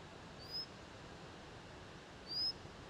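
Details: White-capped redstart, known locally as chafi, in Nainital, Uttarakhand, India: two thin, high, slightly rising whistled notes about two seconds apart, each brief and clear above a constant soft hiss.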